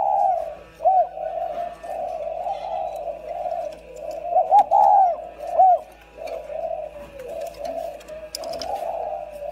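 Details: Two decoy spotted doves coo together: overlapping low, hoarse, rounded coos run almost without a break, with brief brighter rising notes poking through; a faint steady hum lies underneath.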